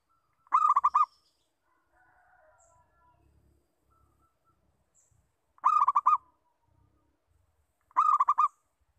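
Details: Local zebra dove lure call, heard as three separate bursts of rapid, rolling coos. Each burst is a half-second trill of about five notes, with long quiet gaps between them and faint background rustling.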